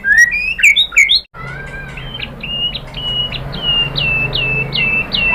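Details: A White-rumped shama sings, the recording used to stimulate caged birds: a quick jumble of whistled slides, then a series of evenly spaced clear notes, each dropping in pitch, over a low hum.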